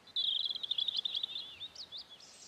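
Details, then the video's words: A robin's high, thin warbling song with swelling crescendos: a quick run of twittering notes, then a few separate rising and falling whistles, over faint background hiss. "The robin sings swelling crescendos."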